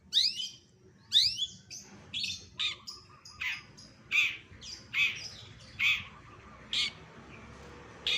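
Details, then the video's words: Long-tailed shrike (cendet) mimicking other birds for songbird contest training: two sharp falling whistles open, followed by a steady run of harsh, buzzy high chips spaced under a second apart. "CENDET FULL MASTERAN SUARA KOMPILASI BURUNG LAIN"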